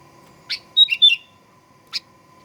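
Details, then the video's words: Sooty-headed bulbul song used to provoke aggressive singing in another bird: a quick burst of short, sharp chirps and slurred whistled notes, with one isolated chirp just before and one after, over a steady electrical hum. "Kicauan Kutilang Pikat Gacor Fighter"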